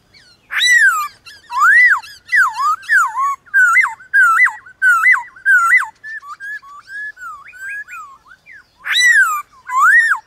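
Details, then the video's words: White-cheeked laughingthrush singing in a morning contest with wild birds, loud rich whistled phrases rising and falling, repeated slurred notes around a steady pitch, with fainter answering whistles between loud bursts. "Khướu bạc má HÓT ĐẤU với Khướu ngoài thiên nhiên buổi sáng cực hay"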